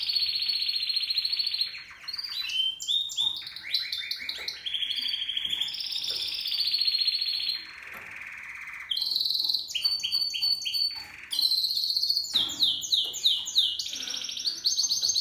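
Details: Seven-month-old male Spanish Timbrado canary singing in the timbrado discontinuo style: loud, high metallic rolls and rapid trills, sustained whistled tones and quick stuttering note series, broken by short pauses.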